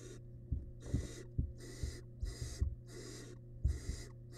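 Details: Wild barn owl nestling in a monitored nest box, feeding on a large rabbit remain; harsh, broadband hissing bursts roughly every half second, mixed with low thumps and knocks from the feeding, over a steady electrical hum.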